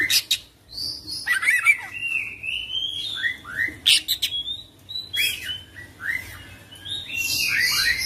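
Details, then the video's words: Kacer, the Oriental magpie-robin, singing a varied string of whistled slurs and short sweeping notes, broken by sharp harsh bursts and a buzzy rasping passage near the end. "Kacer Full Isian ngerol gacor dorrr"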